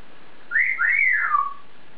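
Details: Caged African grey parrot talking to itself, producing one loud, clear whistled phrase that climbs, dips, rises again and glides down over about a second; quiet room.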